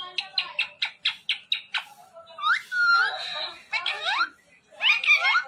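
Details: Pet parrot indoors in a small room, giving a quick burst of about eight sharp, evenly spaced chirps, then squeaky rising whistles, rasping squawks and chattering calls with short pauses between bursts.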